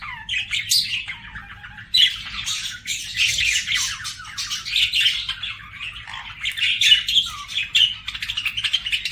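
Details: Singing budgerigar giving a steady, busy warble of buzzy chatter and squeaky squawks, with a louder burst starting about two seconds in and a brief descending whistle near the end.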